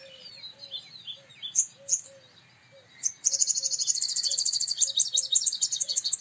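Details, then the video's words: A male purple sunbird gives a few sharp high chips, then a long rapid metallic rattle of ringing notes; a lower bird call repeats steadily in the background. "Purple Sunbird Sound / Purple Sunbird Song / Purple Sunbird Call /Male Purple Sunbird Vocals, Voice"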